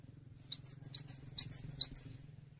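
A cinereous tit sings high, sharp two-note phrases, about eight bright notes in a quick run, over a faint low hum.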